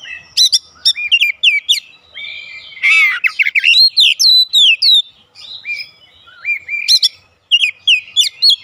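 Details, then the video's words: Oriental magpie-robin kept at home, singing a loud, varied song of sharp, high whistled notes, rising and falling slurs and brief harsh chattering bursts, delivered in quick phrases with short pauses between them. "AUTO RESPON NGEPLONG GACOR KACER ANDA DIRUMAH"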